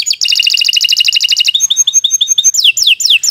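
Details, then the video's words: Canary singing continuously to tutor young birds: a rapid, buzzy trill of rich notes, then a string of short clipped chirps, ending in slower, steep downward whistled sweeps. "Kicau Burung Kenari 101 II GACOR PANJANG"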